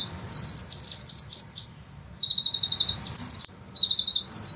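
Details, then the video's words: Sunbird delivering long rolling shots, 'nembak panjang': tight strings of thin, high rapid notes lasting over a second each, a half-second silence, then more dense trills, with steady low background noise. "suara penghisap madu ngeroll nembak panjang"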